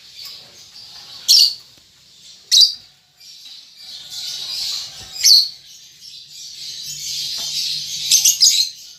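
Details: Young lovebird learning ngetik ngekek chattering: isolated loud, shrill chirps spaced a second or more apart, ending in a denser burst of rasping notes over a hissing background.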